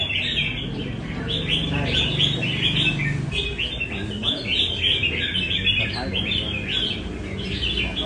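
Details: Caged red-whiskered bulbul from Nam Đông, trained at a café in Đà Nẵng, gives steady runs of clear chirping, warbled notes with brief pauses over constant chatter and low room noise.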